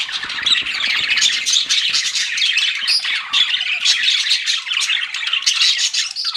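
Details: Bustling chirps from flirting pet budgies: overlapping squeaks, short whistles and buzzy warbles run on nonstop, with faint low rustling underneath.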